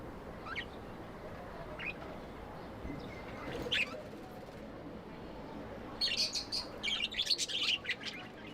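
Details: Tame budgies chirping lovingly: a few isolated thin chirps at first, then a lively run of rapid high twittering chatter in the final seconds.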